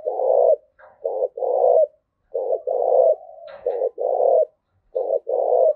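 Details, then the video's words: Spotted dove 'thúc gù' coo, meant to train decoy birds and provoke males: deep coos in paired short and long notes, repeated about every second, with a faint thin hum between phrases. "tiếng cu gáy thúc gù gáy gọi tập bổi kích trống hiệu quả"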